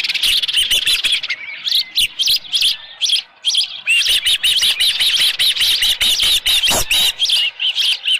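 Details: An osprey on its nest at Dunrovin Ranch, early morning 24 July 2018 with a headless fish, gives a near-continuous stream of sharp high chirps, roughly two per second, briefly easing around the third second.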